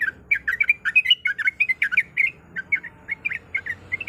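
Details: Sooty-headed bulbul female calling for a male: a rapid run of clipped, warbling chirps packed closely together, easing into slightly spaced notes toward the end, over a faint low hum.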